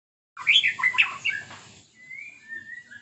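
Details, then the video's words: White-rumped shama singing in the morning: a burst of rich, varied whistled and chattering notes for over a second, then softer drawn-out whistles trailing off. "kicau murai santai"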